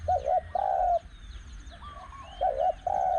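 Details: Spotted Dove cooing during a luring session with a caged decoy bird at spot 14, a wild dove with a small voice nearby: low, mellow, wavering coos in short phrases with brief pauses and faint chirps behind.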